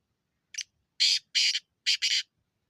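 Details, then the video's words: Black francolin giving its call: a faint opening note, then a pair of loud grating notes and another pair, each harsh, buzzy and about a fifth of a second long. "kala tater کالے تیتر کی خوبصورت آواز"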